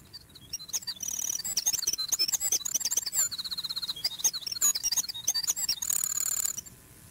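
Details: A winter wren pours out a long, tumbling song of high, rapid trills and tinkling notes, a compressed song of about six seconds without a pause, sung on both in-breath and out-breath, in quiet wilderness.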